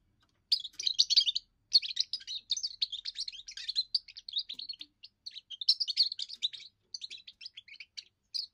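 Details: European goldfinch youngster singing its first song, a territorial and courtship song: near-continuous rapid twittering of buzzy, tinkling notes in long phrases with only short breaks.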